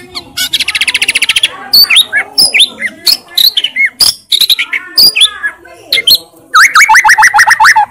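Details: White-rumped shama in energetic, varied song: a fast buzzy rattle of repeated notes, then sharp whistled slurs and clicks, ending with a rapid run of rising chirps.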